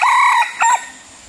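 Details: Crow of a red junglefowl serving as a decoy for luring wild birds: a sustained, even first note lasting under half a second, then a brief second burst, ending in quiet background hiss.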